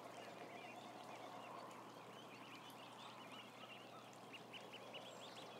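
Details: Massed ducklings, a thousand strong, filmed by camera: a thick murmur of high peeps, some shorter ones standing out near the end, over a broad noisy hum.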